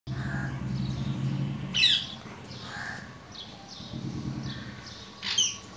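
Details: Parrot at home giving a couple of harsh, loud squawks about three and a half seconds apart, with fainter chirps between them over a steady low household hum.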